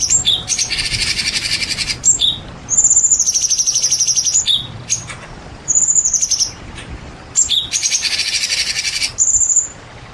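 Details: White-rumped shama described as a champion singer, heard over added rain sounds: long, high, steady whistles alternate with harsh, rapid, buzzy rattles in bursts of one to two seconds, while rain hisses steadily underneath.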